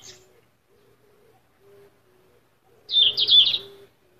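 Yellow-rumped flycatcher: a faint high note, then a quick burst of four or five sharp, high, chirping notes in under a second, over a soft low hum.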